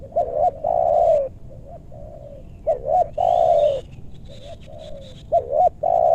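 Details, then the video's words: Luring wild spotted doves in meranti woodland, western Bogor. The doves give repeated phrases of paired short rising notes and a long mellow coo, with weaker background cooing between phrases. "Pikat tekukur ajaran si bucil paksa turun bl suara besar"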